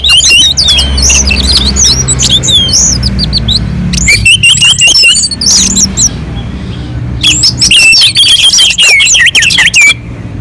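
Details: Mountain-slope orange-headed thrush giving a song used as a lure to get other birds singing: three dense bouts of high, twisting whistles and chattering notes separated by short gaps, with a steady low hum behind.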